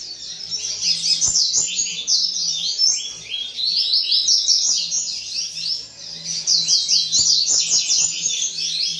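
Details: Coleiro from a breeding aviary singing long bursts of fast, high, buzzy twittering notes, briefly pausing between bursts, with occasional clicks and a faint hum.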